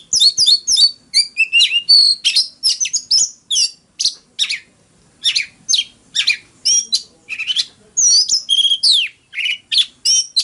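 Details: Caged Oriental magpie-robin in fighting song, delivering a dense, fast run of varied chirps, sharp upslurs and whistled notes repeated almost without pause, loud and clear against a quiet background.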